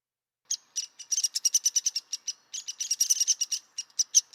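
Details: Downy woodpecker calling in a fast, uneven burst of sharp, high, single notes, roughly four to six per second, with brief gaps, on a clean silent background.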